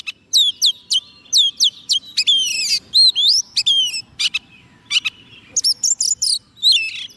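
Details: A soft-food-fed white-rumped shama sings to lure wild birds. Clear upward-curving whistles repeat rapidly, followed by buzzy trills, sharp chips and richer ringing notes.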